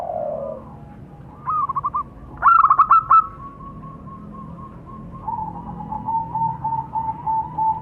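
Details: Local zebra doves, male and female, calling in reply to one another: a low purr, two quick staccato cooing bursts, then a long run of soft, evenly repeated notes from a second bird.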